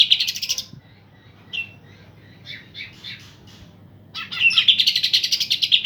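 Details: A pair of green leafbirds in full song, used to stir off-form birds into singing. Dense high chattering phrases open and close the passage, with scattered short whistled notes in a quieter middle stretch.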